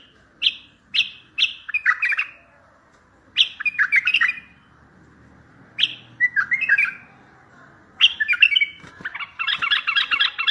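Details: Strong bulbul song played to make other bulbuls respond and come in for trapping: a series of bright, descending whistled chirps and chattering phrases, ending in a dense, rapid warble.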